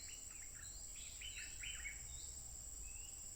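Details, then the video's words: Wild stripe-throated bulbul recorded by smartphone on 15 June 2021, singing fiercely without pause: a quick burst of short, slurred chirping notes in the first two seconds, then a lone thin note, over a steady high insect drone. "Burung Merbah Lekir Liar Terbaik Garang Tanpa Henti Berbunyi"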